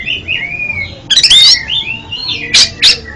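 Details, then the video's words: Kacer, the oriental magpie-robin, singing for therapy of a bird that stutters: long, smooth, falling whistles at the start, then a loud harsh burst and two short squeaky notes. "MANTAB BUAT TERAPI KACER ANDA YANG GAGAP BUNYI JADI JOSS KICAUANNYA"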